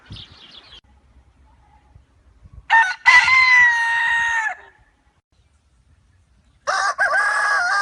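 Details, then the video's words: Free-range rooster on a farm: faint noise, then a loud crow with a choppy start and a sustained, gently falling body for about two seconds, then after silence another crow begins. "galo caipira cantando"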